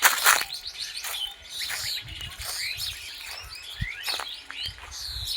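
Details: Wild birds chirping in a jungle, recorded live on a forest walk: dense overlapping high chirps and quick rising and falling whistled notes throughout, with soft low thumps underneath and no music.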